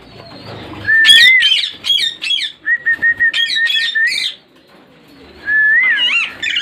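Parrot calls: drawn-out rising whistles mixed with harsh, chattering squawks in quick bursts, several birds calling over one another.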